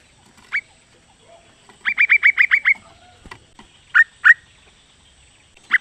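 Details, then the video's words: Calling female sooty-headed bulbul summoning the male: a lone chirp, then a quick burst of seven bright repeated notes, later two separate downslurred chirps and another at the end. "Kicau trucuk betina memanggil jantan"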